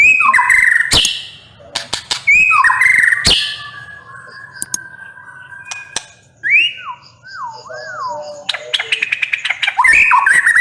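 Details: Loud, hot-tempered white-rumped shama song of clear whistles, sharp clicks and sliding notes, with a wavering looping whistle midway and a dense burst of rapid notes at the end.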